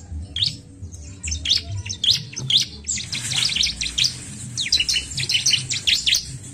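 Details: Bar-winged prinia song used to stimulate other birds to sing: rapid high, sharp chirps and trills in irregular bursts, with a constant low hum beneath.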